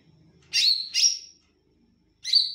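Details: Olive-backed tailorbird delivering two loud, piercing, slurred notes back to back, then a third after a brief silence, with a faint low murmur at the start.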